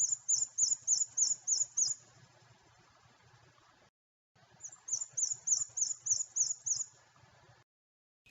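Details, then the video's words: A Black-and-white Warbler at Natural Tunnel State Park sings two high, thin, squeaky runs of about seven paired notes each, like a squeaky wheel turning. "An easy one to pick out would be the black and white warbler, where it sounds like a squeaky wheel."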